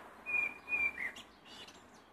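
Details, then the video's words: Blackbird singing: a short run of clear, fluty whistled notes at a steady mid pitch, two level notes and a quick downward slur, then quiet background. "Black bird singing"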